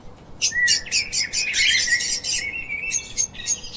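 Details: Lovebirds, little parrots kept as pets, chirping; a quick run of sharp, buzzy chirps in rapid succession, several overlapping, over a steady low background hiss.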